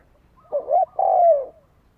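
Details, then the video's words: Spotted dove cooing, a sound used as a lure to provoke fighting: a short double-noted coo, then a longer smooth coo that slides gently downward, in a quiet setting. "Tiếng chim cu gáy đấu bổi dùng kích mồi"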